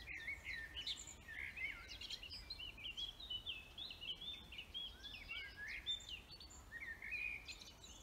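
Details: Dense forest bird chorus: overlapping warbles, trills and quick high whistles fill the whole clip, several birds singing at once.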